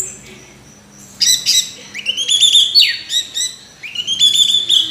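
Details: An orange-headed thrush sings a rich medley of rising whistled slurs and quick chatter after a second of near silence.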